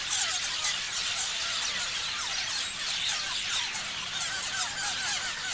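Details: Parrots chirping en masse, a steady stream of overlapping high twitters and rising squeaks forming a constant bright chatter.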